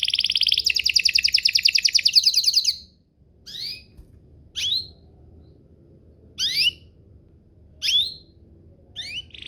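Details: Canary song intended to make other canaries sing back: a loud fast buzzy trill lasting about three seconds, followed by isolated sharp rising-and-falling notes spaced a second or two apart.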